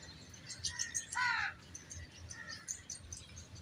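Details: Common myna of the subcontinent, a shy bird that frequents home courtyards: a loud, rasping, harmonic note after brief whistled notes, then a softer whistle, with scattered high chirps from other birds and low rumble behind.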